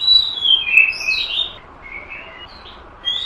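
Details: Oriental magpie-robin lure recording, heard muffled and fainter: soft whistled slurs that rise and fall, a longer sweeping phrase followed by quieter broken notes, over a steady background hiss.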